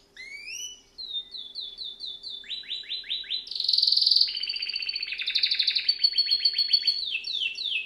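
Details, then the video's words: Canary (Serinus canaria) singing as a training bird: opening rising whistles, repeated short flat notes, fast downward slurs, then dense buzzy trills and rapid warbled phrases. "Bird song | Canary singing| training bird | best canary | Serinus canaria"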